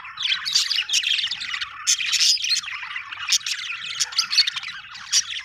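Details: Budgerigar chatter, a dense and unbroken mix of scratchy chirps, harsh squawks and warbling notes, high and busy with frequent sharp loud peaks throughout, no other clear sounds.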